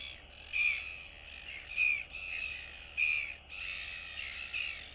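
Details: Neighbouring royal albatross chicks greeting one another, one still with down on neck and chest, 9 September 2022; rasping nasal calls about once a second, rising and falling in loudness, ending in a longer drawn-out bray.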